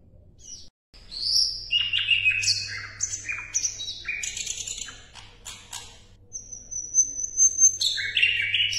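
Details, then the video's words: Asian brown flycatcher song recorded as a tutor track for competition songbirds: rapid varied sequence of high clear whistles and short buzzy notes, some flat sustained tones, some sliding down, strung together about twice per second, with a faint low hum. "SIKATAN LONDO MASTERAN"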